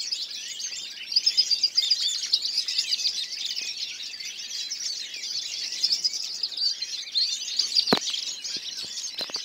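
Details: Goldfinches, 2014: long, unbroken twittering song of fast, high chattering and tinkling notes, interrupted near the end by a sharp click.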